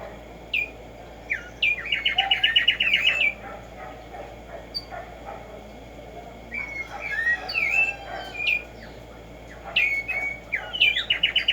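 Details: A Black-striped sparrow (tico tico) delivers a fast, even trill of chipping notes, then later a cluster of upslurred and downslurred whistles followed by another quick rattle, with steady hiss behind.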